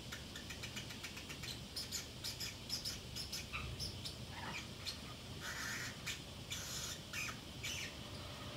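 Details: A Pacific parrotlet alone indoors keeps up soft chatter: bursts of rapid high clicks mixed with occasional squeaky chirps and a short buzzy note, irregularly spaced, over low room hum.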